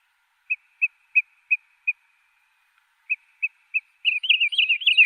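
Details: Wood sandpiper calling: a series of short clear whistled notes, about three per second, a pause, three more, then a quick burst of lilting yodel-like phrases at the end.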